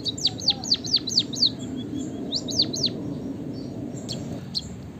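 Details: Lively song of a white-headed munia (bondol haji): six quick falling whistles, a pause with soft notes, then three more down-sweeping whistles and two short clicks near the end.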